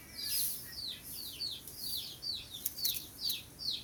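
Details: Morning calls of a sooty-headed bulbul, quick downward-sliding chirps repeated about every half second, with a loud, high, wavering shrill buzz rising and falling behind them and a few sharp clicks.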